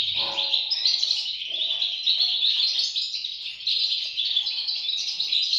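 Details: Several European goldfinch nestlings twitter together in a high, unbroken, shrill chirping chorus with fast, jumbled notes. Faint low murmurs appear near the start.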